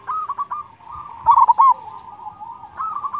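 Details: Actively singing local zebra dove with a large 'kung' voice, used as a training master for silent doves: continuous low cooing with a loud, quick cluster of bubbly coos in the middle and faint high chirps in the background.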